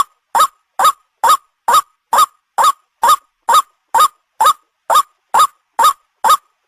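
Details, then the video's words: Lure call of a white-breasted waterhen, used for trapping: fifteen or so coarse, rising kwak notes repeated at an even, quick rhythm against a quiet background. "the sound of the ruak ruak"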